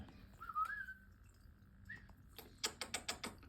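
A budgerigar gives a few soft whistled notes, then a rapid burst of harsh, scratchy squawks.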